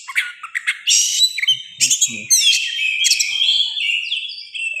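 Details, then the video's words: Oriental magpie-robin, a forest bird, singing in the morning in an agitated, fighting mood: a dense, loud run of varied whistles, chirps and harsh buzzy notes high in pitch, ending in a long sliding whistled phrase, with a few faint low knocks. "Kacer emosi tinggi, konslet dan tarung"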